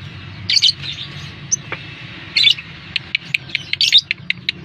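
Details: Lovebird lure call played to get lovebirds to respond: scattered harsh squeaky bursts and single sharp high chips, with a steadier string of clipped notes toward the end over a low hum.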